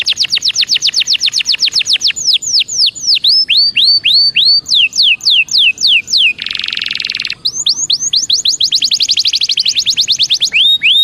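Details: Belgian canary singing to warm up, long rapid runs of descending whistled sweeps, curling slurred notes, a harsh buzzy trill lasting about a second, then more fast repeated notes.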